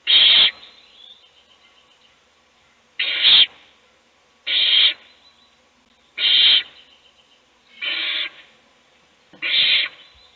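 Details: Owl feeding a chick in a nest box while the other chicks sleep; six loud, rough hisses repeated roughly every one and a half seconds, each short and breathy.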